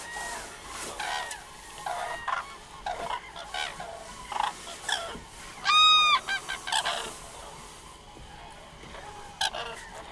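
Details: Common cranes calling: loud trumpeting, harmonic calls at intervals. The strongest is a clear, rolling call near the middle. Fainter overlapping calls from other birds run beneath throughout.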